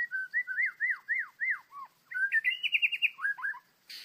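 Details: Angry white-rumped shama in the wild during trapping: a run of about ten loud, down-slurred whistled notes, then a quick rattling trill of short rising notes and a few final whistles, with a brief rustle at the end.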